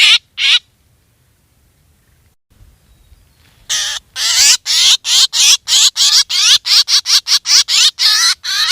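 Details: Two harsh squawks, a long quiet gap with faint handling noise, then a fast insistent run of buzzy black drongo calls, played to lure birds for hunting.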